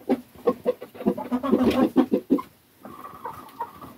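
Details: Chickens in a flock where young roosters are afraid of the old roosters; a run of short, low clucks about three per second, then a steadier, higher drawn-out call near the end.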